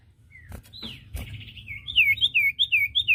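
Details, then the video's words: Common iora song recorded to teach caged birds: a few scattered whistles and clicks, then a rapid run of loud downslurred whistled notes at a high, even pitch. "masteran burung cipoh bahan II masteran cipoh sirtu bahan"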